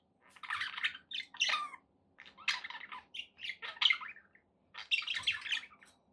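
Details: A pet budgerigar giving short bursts of grating chatter and clipped chirps, about five separate phrases with clean silences between them and a faint low hum beneath.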